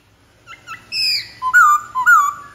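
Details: Two quick rising notes from a Black-throated laughingthrush lead into a loud drawn-out whistle, followed by a pair of swooping, falling whistled phrases.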